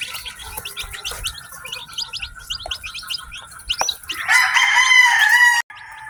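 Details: A group of newly hatched chicken chicks on a farm. Rapid, high, short chirps pour out for four seconds, then a loud, sustained harmonic cry takes over before cutting off abruptly.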